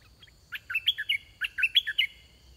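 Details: Red-whiskered bulbul singing at a decoy session luring wild birds. Two brisk phrases of sweet, chirpy, slurred notes, each about five notes long, come back to back with a brief gap, over a faint low rumble.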